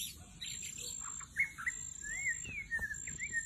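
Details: White-rumped shama song played as a lure in the forest: quiet varied whistles that slide and loop, and a few chips, over a steady high insect-like drone and low background rustle.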